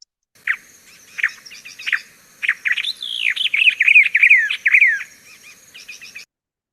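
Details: Southern Tchagra, whose call is described as "cha-cha-chagra", gives a few short chattering notes, then a clear run of whistled, down-slurred phrases that tumble lower toward the end.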